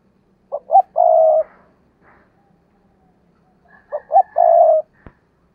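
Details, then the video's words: Decoy spotted dove calling to provoke wild doves; two clear three-part coos about three seconds apart, each with two short notes and a drawn-out final coo, with a faint low hum and a click near the end. "Chim Cu Mồi Cây Thúc Gù Và Gáy Gọi/ Cu gáy kích bổi nhanh nổi gù"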